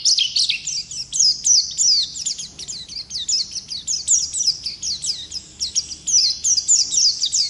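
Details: Wild Oriental white-eye pouring out a dense, rapid twittering song, many sharp high chips and slurred whistles per second running continuously throughout.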